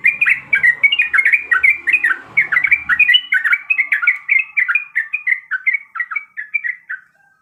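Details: Yellow-vented bulbul female in breeding condition calls the male in a long, lively series of bubbly, up-and-down chirps, loud at first and gradually fading toward the end, in an otherwise quiet setting.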